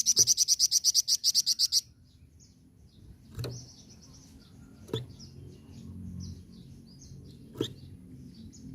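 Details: Flamboyan, the red-fronted serin, singing a chattering rolling tutor song for other birds: a fast even trill of about fifteen high buzzy notes for under two seconds, then faint distant chirps and occasional clicks.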